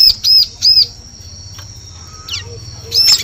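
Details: Lure call of a bar-winged prinia for forest use: two high arched whistles, a long quiet stretch with a faint soft note, then a loud arched note at the end.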